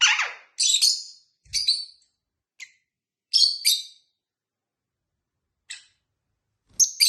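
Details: Tame pet lovebirds at home with a companion bird, chirping: short harsh high chirps and screechy bursts in scattered groups separated by silent gaps, with faint low thumps.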